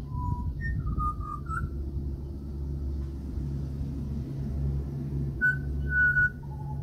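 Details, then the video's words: Australian pied butcherbird visiting a house opens with a mellow whistle, adds a few quick rising and falling fluty notes, pauses, then ends with two held pure notes and a lower one, all over a low hum. "LISTEN TO THE BEAUTIFUL CALL OF THE AUSTRALIAN PIED BUTCHER BIRD"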